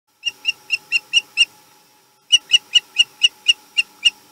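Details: Osprey at a nest on the Chesapeake, March 2020, male returning home: two runs of sharp, high, piercing chirps, about six then nine notes, evenly spaced roughly four per second, with a short gap between runs.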